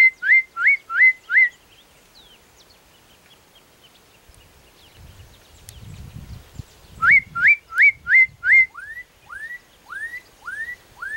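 Black-capped donacobius giving loud, rising whistles in quick runs of four or five, a pause, then a longer series of slurred upward notes; low rumbling noise between.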